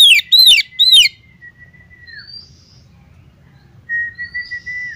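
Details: Female Oriental magpie-robin calling a male: three loud, harsh, downslurred rasping notes, then a long, steady, high whistle with a fainter, higher whistled overtone, the whistle returning near the end.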